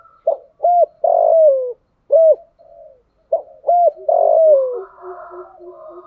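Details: Two complete spotted dove coo phrases used to lure wild doves in wet, windy weather, 'thổ sấm' voice: short hooting notes leading into a long descending coo, followed by quieter low murmured notes.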